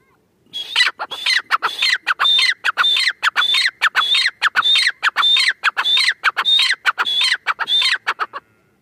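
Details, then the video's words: A female grey francolin gives a loud, shrill, ringing series of rapid notes, repeated steadily for about eight seconds. "Teetar sound | Teetar voice | gray francolin teetar sound | Female teetar awaz"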